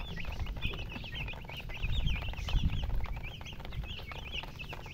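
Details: Several young chicks chirping nonstop with thin, high peeps that rise then drop, overlapping one another, over a loud, low, rumbling background.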